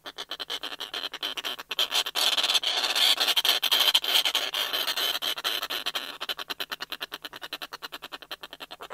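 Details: Snow petrel at the nest, close up, calls and courtship calls from a single bird and then a pair: a harsh, rasping chatter of rapid pulses, several each second, swelling into a loud cackling burst before slowing into separate clicks.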